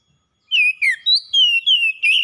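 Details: Kept oriental magpie-robin singing in the gacor style: six strong whistled phrases in quick succession, some rising and some falling, with sweet clear tones and short gaps between them.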